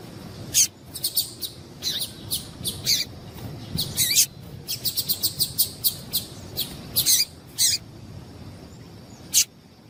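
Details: Female double-collared seedeater call, used to make males sing: short sharp high chips given singly and in quick bursts of two to four, irregularly spaced, over a steady faint background hiss.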